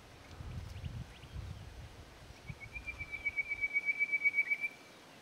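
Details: Full-voiced song of a male Chestnut Quail-thrush, Hattah-Kulkyne National Park, 13 September: faint high chips lead into a long thin trill of rapid pulses on a steady high pitch, growing louder, with low rumble early on.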